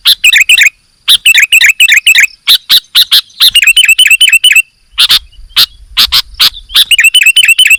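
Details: Sooty-headed bulbul singing vigorously: rapid bursts of bright chattering notes alternate with sharp clicking strikes, separated by brief pauses.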